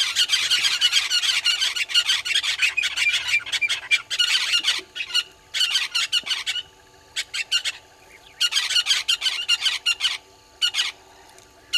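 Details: Several red-billed hornbills below a live waterhole camera at Djuma Game Reserve, Sabi Sand, South Africa, morning of 20 March 2022: loud, dense series of fast clucking notes pouring out in long runs, then breaking into shorter bursts.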